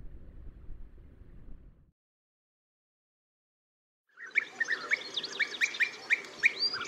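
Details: Gulls on a sea cliff in Cabrera Archipelago National Park, near an osprey nest about 50 m above the sea, keep calling through strong wind: rapid, sharp, nasal calls about three a second over a roaring wind, with gusts first, then a brief quiet gap.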